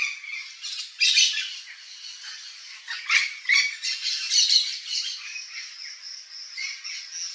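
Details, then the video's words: Yellow-faced Parrot (Alipiopsitta xanthops), Brazilian Cerrado species seen in a natural habitat backyard, gives harsh, grating squawks in irregular bursts, several loud ones close together, with thinner high chatter between. "PAPAGAIO-GALEGO (ALIPIOPSITTA XANTHOPS), YELLOW-FACED PARROT"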